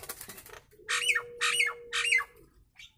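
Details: Nias hill myna in a training recording of its true voice: three loud, harsh squawks in quick succession, each with a downward-sliding tail, over a steady pure whistled tone and faint chatter before.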